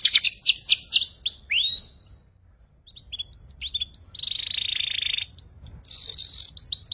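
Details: Juvenile canary in ngeriwik practice: quick descending sweeps, a two-second silence, then scattered whistles, a sustained buzzy note, a clear rising whistle and a final trill burst.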